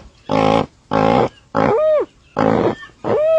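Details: Unusual vocalization of a dusky-legged guan: five loud calls in quick succession, broad harsh honks, two of them ending in a slurred, arched whistle that rises and drops.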